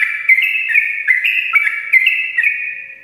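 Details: Sooty-headed bulbul in full morning song, a long ropel used as a lure for reluctant singers: a steady ribbon of clear whistles broken by quick dipping and rising notes roughly every half second.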